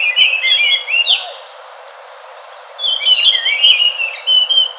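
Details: Rich whistled song of an Enggano thrush: a quick run of slurred warbling notes, a pause of about a second and a half, then a longer tumbling sequence of whistles and trills.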